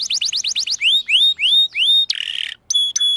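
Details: Canary song used as a lure for young canaries learning to sing: rows of quick rising whistled sweeps, then slower upward slurs, a short buzzy burst, and a brief pause before sharp high ringing notes.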